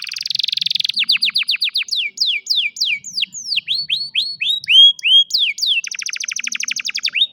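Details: Afternoon song of an old domestic canary, opening with a dense buzzy roll, then series of fast falling whistled notes, rising upslurs and a quick rattling trill.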